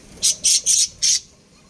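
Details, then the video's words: Caged budgerigar breeding pair giving four loud, harsh high chirps in quick succession, each about a fifth of a second long, then quiet. "Budgies Chirping Sounds"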